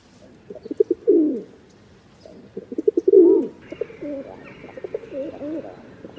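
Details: Rock dove cooing: short stuttering notes build into a long, low, throaty coo, twice, followed by softer overlapping wavering coos with a faint steady hum in the background.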